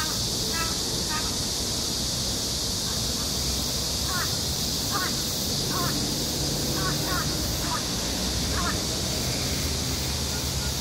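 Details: Crow heard outdoors giving scattered short, rough calls, some in quick pairs, spread over ten seconds against constant broadband hiss and low rumble.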